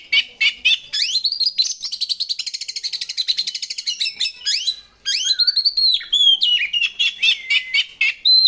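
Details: Oriental magpie-robin lure song to make other birds sing: staccato clicks leading into a rapid rattling trill lasting about three seconds, a short pause, then curved whistled notes and scratchy chips.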